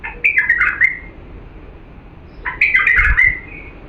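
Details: Authentic Diyala bulbul, song meant for teaching young birds: two similar rich, gurgling warbled phrases about two seconds apart, each starting sharply and trailing off in a slurred whistle.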